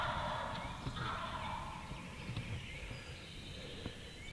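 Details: Two wild turkeys gobbling near hunters in the woods, later seen to be jakes (young males) coming in. A rapid rolling rattle sounds over the first second and a half, then fades into a steady hiss of woodland background.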